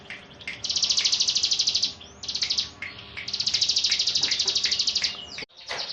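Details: Yorkshire canary singing long rolls: two extended fast high trills, each lasting over a second, joined by brief chipping notes, with steady low background noise.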